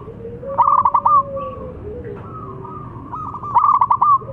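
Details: Zebra dove of a local type, singing as a lure to get mute doves singing. Bursts of fast, rattling coo-trills at the start and end, with softer sustained tones and a faint lower drawn note between them.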